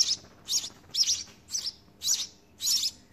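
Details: House sparrow chicks being fed in the nest: short, shrill, grating chirps spaced about half a second apart, sharp and high, with light background noise.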